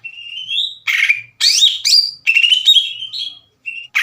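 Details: Greater green leafbird singing energetically, used as a lure to rouse other leafbirds: a long rising whistle followed by loud bursts of scratchy, buzzy notes and sliding whistles with short pauses.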